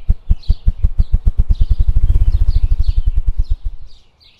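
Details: A wild ruffed grouse drumming in forest: deep, muffled thumps that start slow and speed up into a rapid whirring roll before fading, with thin songbird chirps above.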